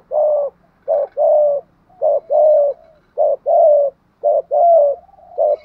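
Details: Spotted dove, tho-voiced cooing: five regular short-then-long coo pairs, evenly spaced about a second apart, strong and clear.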